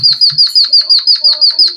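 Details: Java sparrow in a canary-imitating song for bird training, quick even high chips in regular succession, with a few soft lower tones and faint low knocks early on.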